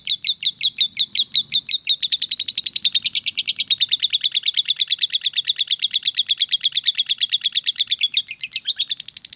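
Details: Lovebird ngetik song, starting with distinct spaced high chirps that speed up into a dense, rattling stream of clicks roughly three per second, with brief louder trills mixed in.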